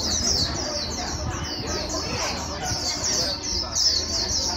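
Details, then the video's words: White-eye, a wild-caught bird, being stimulated to sing fast: a continuous stream of rapid, thin, high down-slurred notes running close together, over a low murmur of background chatter. "Kích chim vành khuyên bổi mau líu"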